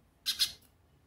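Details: Hooded siskin (pintassilgo) call: two quick, rasping, high squawked notes in close succession, followed by a faint third trace, heard against near silence indoors.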